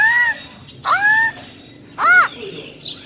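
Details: Female black-throated laughingthrush, wild voice, calling to fire up males: three loud nasal notes, the first two level or slightly rising, the third sharply arched, within three seconds.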